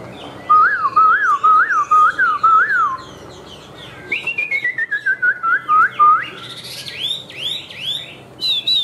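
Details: Caged Chinese hwamei, white-winged and white-tailed, a high singer: loud looping whistles repeated rapidly for three seconds, a pause, then a descending string of clear whistled notes and sharper high chirps.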